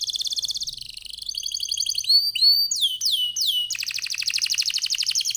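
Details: Canary in lively song, played as a lure to get other canaries singing: rolling trills, several loud falling whistles, then a long fast trill repeated many times per second.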